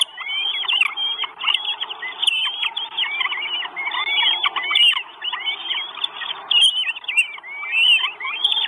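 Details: Food-begging Northern goshawk nestlings, four chicks, on a live nest camera in Estonia on 1 June 2022: thick, overlapping shrill whistles and squeals, rapid and unbroken across the whole stretch.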